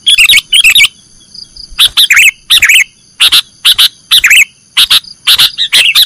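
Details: Sooty-headed bulbul, nggaruda song style used for training caged birds: loud, bubbly chirped phrases repeated roughly twice a second, separated by brief gaps, with a faint steady hum behind.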